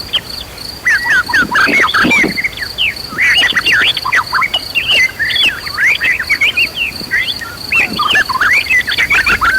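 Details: Agitated white-rumped shama singing hard to provoke rivals into song. It gives a nonstop torrent of varied chattering whistles, slurs and sharp notes, loud throughout, over a constant shrill insect tone.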